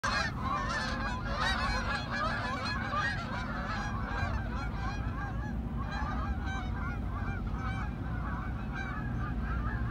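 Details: A flock of Canada geese approaching and landing, honking constantly in many overlapping nasal calls over a steady low rumble of wind or water.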